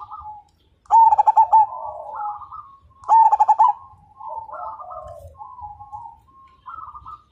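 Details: Majapahit-line zebra dove (perkutut) in full song, said to make other birds join in: two loud pulsed coo phrases two seconds apart, each a quick run of throbbing notes, with softer cooing from other doves between.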